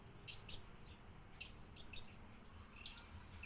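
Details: Chirping of a blue-crowned hanging parrot used as a lure bird: thin, piercing high notes in short doublets spaced about a second apart, ending with one longer buzzy trill; quiet background.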